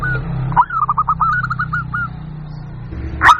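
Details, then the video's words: Local zebra dove calling to lure wild birds: a quick run of bent coo notes over a steady low humming background, ending in a sharp louder note. "Suara Pikat Burung Jitu Perkutut Jamin Nyaut Kutut Lokal"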